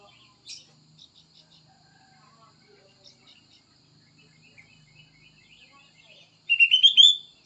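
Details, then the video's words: Plain prinia song: after faint, scattered chirps from other birds, one loud, rapid burst of buzzy, stuttering notes lasting under a second. "BURUNG PRENJAK SAWAH"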